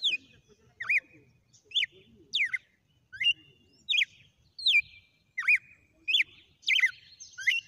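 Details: Wild red-cowled cardinal singing a sequence of 'açoites' (lashes): loud, sharp whistled notes sweeping up then down, about eleven phrases at roughly one per second, each ending in a brief held tone; a quiet background.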